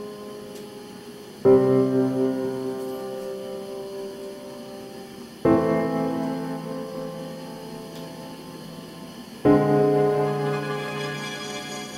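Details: Slow piano chords struck about every four seconds, each ringing and fading, with no animal voice heard.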